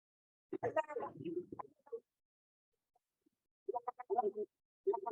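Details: Snowy egrets at a heronry: bursts of harsh, gargling, bubbly croaks in clusters about a second long, separated by silent gaps, likened to a baby in a bathtub.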